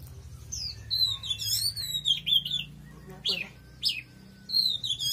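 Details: Oriental magpie-robin in very powerful song: bright whistled phrases sliding up and down, with sharp notes between short pauses. Faint low murmur underneath.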